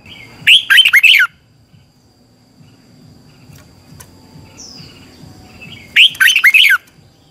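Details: Red-whiskered bulbul singing a 'xoắn tít' twisting-style training song, used to fire up other birds: two loud, rich, warbled phrases of quick rising-and-falling whistled notes, about five seconds apart, with quiet low hum between.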